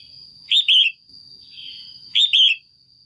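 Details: Caged female red-whiskered bulbul calling to stimulate a male or for pairing; two bright, slurred whistled double notes about 1.6 seconds apart, with a steady high electronic tone running throughout.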